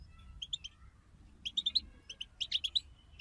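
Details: Goldfinch 'bataba' chorus, a group recording for stimulating a goldfinch to sing: short clusters of clear, high chirps, then a busier run of quick twittering notes, over faint low rumble.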